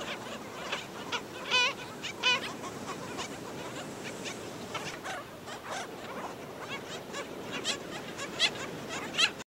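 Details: Black skimmers at St. Pete Beach, Florida, where an adult was killing a chick, give a busy, irregular run of short, nasal, barking yaps, some louder and more ringing, over steady beach and surf noise.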